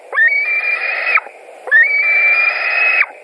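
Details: At a White-tailed eagle nest in Latvia, 16 July 2020, with fish being delivered: two drawn, piercing whistles, each sliding up sharply at the start, then held flat for about a second before cutting off with a downward flick.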